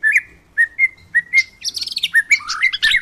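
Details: White-rumped shama singing in the wild: four clear, level whistled notes spaced evenly, then a burst of harsh buzzy chatter and quick warbled whistles.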